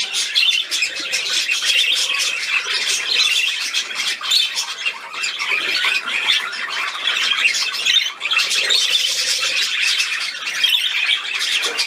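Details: Playful budgerigar, 13 December 2019: nearly twelve seconds of unbroken, high, scratchy chattering full of quick clicks, squeaks and twitters, with no other clear sound.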